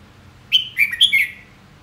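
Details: Red-whiskered bulbul song: one quick phrase of four clear whistled notes, slurred up and down, loud and close against a quiet background.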